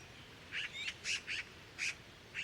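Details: In spring in town, a Eurasian magpie approaches its mate at the nest under construction and the two trade soft, short, slightly nasal little calls, about six brief notes in two and a half seconds, over faint hiss.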